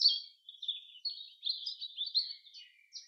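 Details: Common chaffinch singing in a forest: a continuous run of high, tumbling chirped notes, dipping slightly toward the end and closing with a brief sharp flourish. No other sounds are heard.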